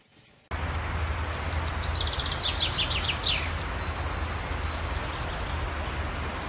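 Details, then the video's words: Common chaffinch song: a single phrase of quick repeated notes descending in steps and ending in a brief flourish, heard faintly through strong rumbling background noise. "kicauan chaf finch"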